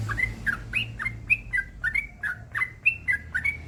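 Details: Trucukan, the yellow-vented bulbul, singing a 'gacor ropel panjang' master song meant to stir silent bulbuls into song: quick chains of liquid, slurred whistles, roughly four notes a second, alternating higher and lower pitches over faint background rumble.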